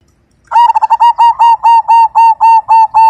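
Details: Majapahit zebra dove singing actively with a big voice: a stuttered opening of quick clipped notes, then a steady run of loud, rich, hollow coos repeated about four times a second at one even pitch. Quiet background.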